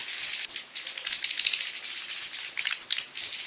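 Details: Evening roosting lure of edible-nest swiftlets, busy high-pitched clicking and twittering chatter with short thin whistled notes scattered through.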